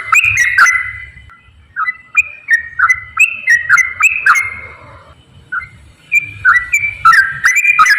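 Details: Loud whistled song of a straw-headed bulbul, played to coax lazy birds into singing: bursts of ringing, stepped notes rising and falling, broken by a pause of about a second before the phrases resume.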